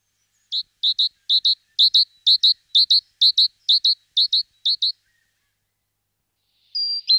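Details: Great tit (Parus major) singing clear, high, two-note phrases repeated about a dozen times in steady rhythm over four seconds, then a brief higher whistled note after a pause.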